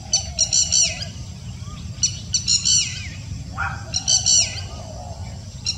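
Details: Fulvous-breasted woodpecker heard in the evening on 23 May 2019, giving three bursts of quick, piercing chatter with descending slurs, with a brief lower squawk-like note between them and a low rumbling background.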